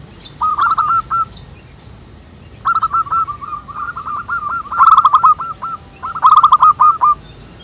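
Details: Wild local zebra doves singing together in nature. Rapid stuttering runs of short hooked cooing notes come in three bursts, with faint higher chirps of other birds between phrases.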